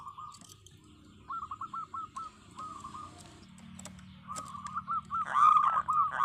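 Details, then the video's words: Local zebra dove (perkutut lokal) singing: soft stuttering coo notes in short bursts, a brief clatter, then a louder run of rolling coos building at the close over low background rumble. "suara perkutut lokal gacor"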